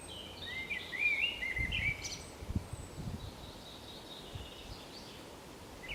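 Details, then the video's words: Common blackbird (Turdus merula) singing solo on the Camino de Santiago at Zamudio on 28 March 2019: a brief run of warbled, fluty phrases with a higher twittering tail, over steady background hiss and a few low thumps. "ZOZO ARRUNT BATEN KANTA 2 _2019.03.28_ Turdus merula (Canto de un mirlo común 2)"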